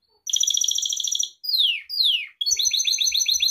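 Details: Gloster canary song for training pet canaries: a rapid high buzzy trill, then two long slurred notes sweeping downward, then a quick rolling series of repeated chips.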